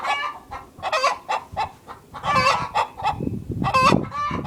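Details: Hens in a productive hen house: a busy run of short clucks and harsh, nasal squawks, several birds overlapping in quick bursts, with low rustling and scuffling noises underneath in the second half.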